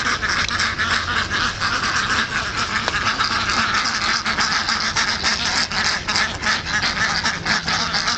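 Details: Indian Runner ducks caught on a frozen pond keep up a dense, noisy chorus of harsh quacks, rapid and irregular, blending into a steady rasping din throughout.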